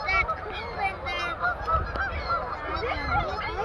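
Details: A huge flock of Canada geese on a frozen pond in Klienburgh, loud and noisy, with ducks and seagulls also present; dense overlapping nasal honks sound continuously with no pause, over a low rumbling background.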